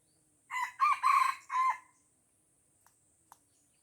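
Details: Red junglefowl from Aceh crowing while surrounded by young birds and refusing to fight: a loud four-part crow, a short note then three longer harmonic syllables over about a second and a half, followed by faint clicks.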